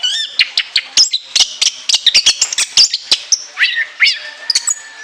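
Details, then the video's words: Orange-headed thrush in full song with long mimicry-filled phrases: quick sharp chirps repeated rapidly, then loud swooping whistles rising and falling near the end. "TEMBAKAN LENGKINGAN ANIS KEMBANG ISIAN PANJANG SEGUDANG"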